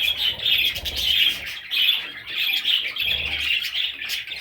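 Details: Parrot chicks giving dense, scratchy chirping calls in bursts, with brief pauses between noisy, high-pitched chatter and faint low rumbling in the background.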